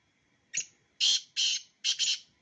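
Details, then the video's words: Black francolin, one of two birds, calling a short thin note, then two long harsh grating notes and a final doubled rasp, the full phrase lasting about one and a half seconds. "Black francolin _beautiful sound of two birds"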